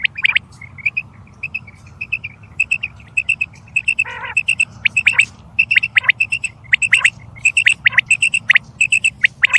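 Quail calls: sharp, high chirps in quick, uneven runs, sometimes two or three notes together. One brief harsher burst cuts in midway over a low background hum.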